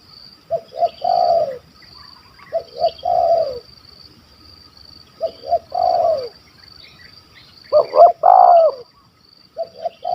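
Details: Malaysian spotted dove, a stuttering caller with a big kuk 1 2 voice, heard during a hunt: four spaced cooing phrases every two seconds, each a pair of clipped notes and a drawn-out falling coo, with one louder phrase.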